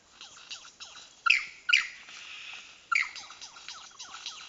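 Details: A lyrebird in the Dandenong Ranges National Park, apparently trying to woo, mimics sci-fi blaster shots: loud, sharp downward-sweeping zaps in quick bursts, over a steady patter of fainter falling chirps.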